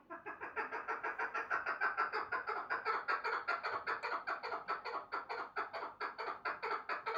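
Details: Rhythmic, rasping clucks from a chukar partridge, repeated roughly every half second in a long chattering run, set against a low background rumble.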